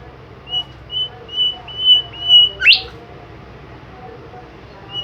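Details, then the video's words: Bimoli bird singing actively: six thin, level high whistles at a steady pace, then a sharp rising sweep, followed by quiet low background hum. "super jos burung Bimoli gacor"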